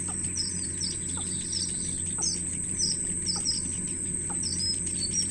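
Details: Wild baby birds in a nest begging their mother for food, pulling her down: short high chirps repeated steadily, about two per second, with soft clicks, over a constant high whine and low hum.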